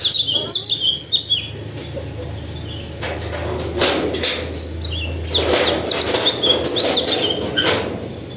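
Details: White-eye of a local Sulawesi strain delivering bursts of rapid, thin, high-pitched twitters, an opening run and a longer one later, separated by knocks and clatter over a low steady hum.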